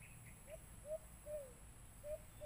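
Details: White-eared brown dove call from a Bluetooth speaker used as a lure while hunting birds: a few low, drawn-out hoots, each sliding slightly downward, spaced about half a second to a second apart. Faint outdoor background.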